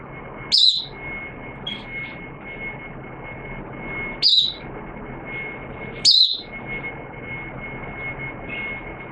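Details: Hobby-kept oriental white-eye in wet weather, 06/09/2022, in 'buka sing' opening song: loud, high, falling chirps at irregular gaps, with softer short notes between, a steady thin electrical whine throughout and low background rumble.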